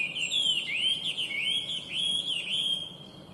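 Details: Chinese hwamei, an invasive alien bird, singing loud, clear whistled phrases: sweeping slurred notes rising and falling in rolling sequence, strong and unbroken.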